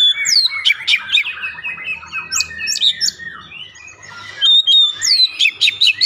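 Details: Oriental magpie-robin lure song to prompt singing: hurried harsh chirps and squawky notes mixed with slurred whistles, a brief lull near the middle, then a fresh burst of rapid high notes.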